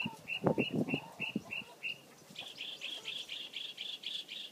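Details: Mockingbird singing a run of short bright notes repeated about six times, then switching to a new repeated phrase of clipped, slightly higher notes; low thumping noises underneath at the start.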